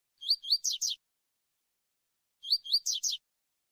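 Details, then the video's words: Double-collared seedeater (coleiro) singing the tui-tui song style used to train birds for contests: two phrases of rising, slurred whistled notes followed by quick buzzy descending notes, about two seconds apart, high-pitched and clean. "COLEIRO TUI TUI PARA PREPARAR OS PARDOS"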